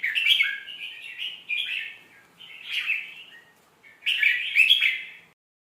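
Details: Red-whiskered bulbul song with nice phrasing, meant to teach young birds: continuous bubbly whistles, a brief dip, then a rich, loud, chattering warble. The song ends abruptly before six seconds.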